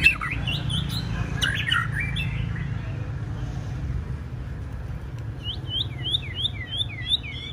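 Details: White-rumped shama practising for a singing contest: a short burst of mixed whistles and chirps, a pause, then a series of clear, repeated downslurred whistles, with steady low background rumble.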